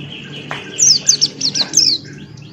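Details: Male Buxton's white-eye singing energetically in ngalas style with open beak: a quick run of thin, high, downslurred whistles, each note sliding down sharply, over a steady low hum.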